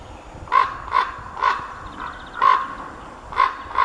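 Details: Common raven male calling, with a female heard in the background: a series of short, harsh, croaking notes about half a second apart, loud and hoarse, with a fainter higher call between them.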